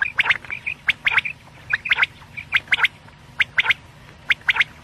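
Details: Quail (batair) call meant for night: dense, rapid series of short, sharp, high chirps, often in twos and threes, with softer whistled notes between them.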